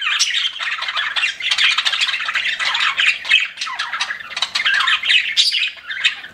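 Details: Pet budgerigars chirping together, a dense continuous chatter of warbled, scratchy notes and squawks with no pauses, several birds overlapping throughout.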